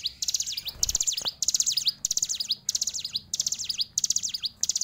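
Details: Energetic fighter hill prinia song: high, thin, buzzy phrases of zigzag notes, repeated in a regular rhythm about every 0.7 seconds, with only faint low noise behind.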